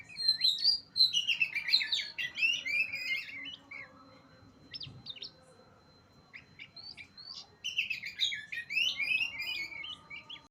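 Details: High, rapid Oriental magpie-robin song in two dense bursts of chattering, twisting notes, split by a quieter stretch of scattered clicks, with a low steady hum beneath.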